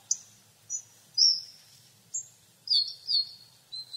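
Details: Hawfinch, Coccothraustes coccothraustes: rapid, irregular series of about eight shrill, clipped ticks and short thin slurred notes, several close together near the end, with no other sounds.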